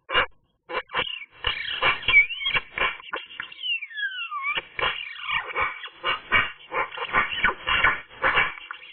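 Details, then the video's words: Eurasian magpie singing on a sunny day: a dense, varied run of harsh, scratchy chattering notes broken by clear whistled glides that slide down and back up, the phrases tumbling on almost without pause. "magpie nice singing"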